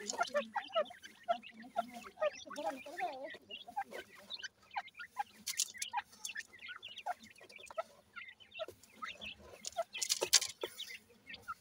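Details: Grey francolin chicks, locally called dakni teetar, feeding: dense, overlapping high, short chirps and downslurred peeps, with lower rapid clucking notes around them and scattered sharp pecking clicks.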